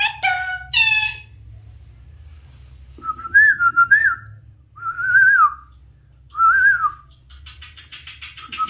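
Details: Alexandrine parakeet opens with two harmonic squawks, then three separate wavering whistled phrases about a second and a half apart, ending in buzzy rapid notes over a steady low hum.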